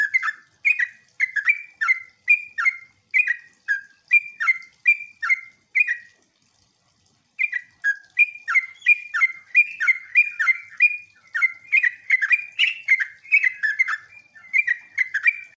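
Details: Sooty-headed bulbul lure song, used to draw other bulbuls into answering; a rapid, bubbly run of short chirping notes repeated about three per second, pausing briefly midway before resuming even busier, with no other clear sounds.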